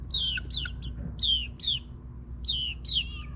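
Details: Close, loud peeps from ninth-week backyard chicks: pairs of high, downward-bending notes in three short bursts over a low steady hum.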